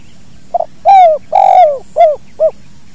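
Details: Spotted dove, kuk dua call style, natural recording for training songbirds: a soft double note, then a long loud coo, a longer falling burry coo, and two short arched coos, against a faint high hum.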